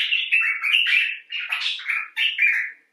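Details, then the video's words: Common bulbul talking expressively: an unbroken flow of chattering, warbling notes that slur up and down, rough and buzzy, fading out at the end. "Bulbul Talk: The Common Bulbul (Pycnonotus barbatus)"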